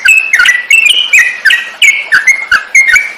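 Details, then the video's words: A yellow-vented bulbul (trucukan) sings for songbird training (masteran), with bright, loud chirruping notes in quick bursts, a little slower and more spaced than a steady chatter, close to the microphone. "Burung masteran || burung trucukan cocok buat masteran"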